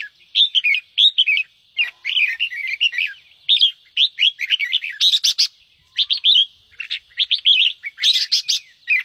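Red-whiskered bulbul gives a lively run of bubbly, warbled phrases, short bursts repeated nearly every half second with brief pauses between, all bright and high.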